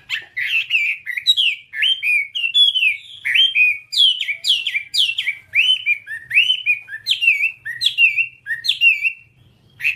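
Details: Whambie song played as an hour-long tutor recording for training caged birds: a fast, continuous string of loud, slurred whistled notes, each sweeping up then dropping, tightly repeated with barely a pause, over a faint low hum.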